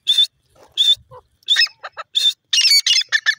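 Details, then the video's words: Grey francolin, called desi or jungli teetar, calling loudly: harsh, noisy high-pitched notes in quick bursts, several in a row, some overlapping, with faint softer chirps between them. "lovely dasi teetar ki awaaz,jungli teetar ki boli"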